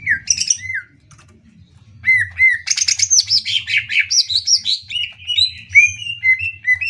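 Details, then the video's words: Greater green leafbird song as training material for other birds: opening slurred whistles, a pause, then a fast stream of buzzy chirps and descending then rising whistled notes, over a faint low hum. "masteran cucak ijo"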